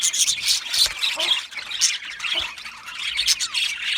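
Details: Aviary full of budgie parrots giving busy, scratchy chirps and short squawks, several birds calling over one another in an uneven stream.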